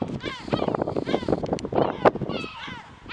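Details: A yellow-legged gull below the castle in Alicante on 2/10/2021 gives several harsh, nasal calls that rise and fall, over a busy, clattering background of other noise and possibly voices.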